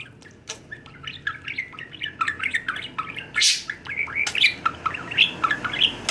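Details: Male budgerigar, six years old, playing on the floor by a chair leg indoors in October 2021; rapid varied chirps, warbles and squawky notes in a busy chattering stream with one harsh burst.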